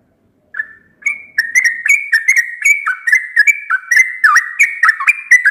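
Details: Sooty-headed bulbul, a bird said to sing every day at dawn, giving a fast run of short whistled notes that hop up and down in pitch. The notes come about four per second, with sharp clicky onsets, against a silent background.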